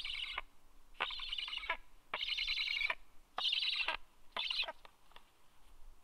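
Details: At a nest on 26 August 2022, a Black stork gives loud, wheezy, rasping calls in bursts of roughly half a second. They repeat about once a second, with brief quiet gaps between them.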